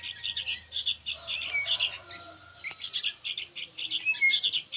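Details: High, buzzy chirps from noisy young sooty-headed bulbuls come in pulsing clusters, joined by a few thin descending whistles. There is one sharp click midway.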